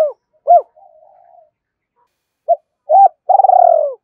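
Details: Spotted dove in the two-ending style, challenging wild birds to fight. It gives a few hooked coos and a soft low murmur, then a quick pair of notes. The clip ends on a long, strongly pulsed purr.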